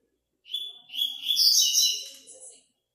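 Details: 8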